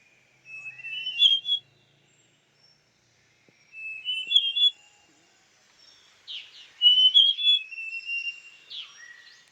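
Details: A female large niltava at Doi Inthanon, Chiang Mai, Thailand, gives three phrases of clear, high whistled notes that slide up and down, a few seconds apart, the last longer and mixed with buzzier notes.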